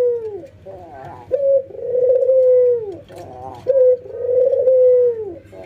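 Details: Albino white ringneck dove against a local ringneck dove, nodding and laughing during training: low coos repeat about every two seconds, each opening with a quick stutter and ending in a long drawn note that falls away.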